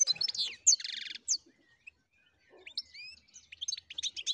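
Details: European goldfinch singing in a natural setting: a quick, tinkling twitter of high notes mixed with buzzy, nasal trills and short rising whistles, broken by a brief pause.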